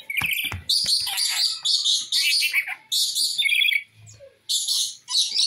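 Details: Rainbow lorikeet (Trichoglossus moluccanus) giving harsh, raspy screeches in bursts of about half a second to a second, with a few sharp clicks at the start.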